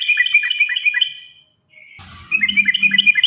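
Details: Sooty-headed bulbul song used as a lure to stimulate caged birds to sing: rapid bubbling chattering phrases of short descending notes, repeated fast, broken by a short pause, with a low rumble in the second half.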